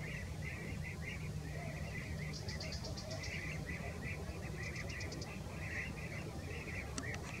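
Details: European bee-eaters (Merops apiaster) give a steady stream of rolling, liquid 'prruip' calls, several birds overlapping, with brief high ticking bursts over a constant low rumble of wind.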